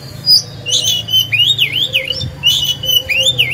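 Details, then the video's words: Oriental magpie-robin, a caged decoy bird, singing to provoke other birds into singing: looping whistled phrases that rise and fall between high and very high notes, with a faint low hum beneath. "Chòe than hót hay, luyện mồi, kích bổi"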